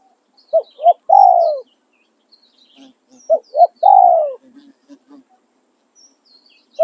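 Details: Calling song of a spotted dove used for decoy trapping. Two full phrases, each two short coos and a long falling coo, with a third phrase just beginning. Small birds twitter quietly between phrases.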